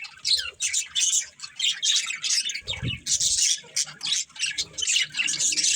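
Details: Continuous squawky, buzzing chatter from a family of budgies, high and harsh, with one short low thump near the middle.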